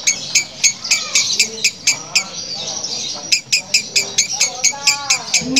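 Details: Female lovebird uttering a harsh, diesel-engine-like cackle: quick scratchy pulses in a repeating rhythm, briefly broken by a squawky burst before the ticking resumes.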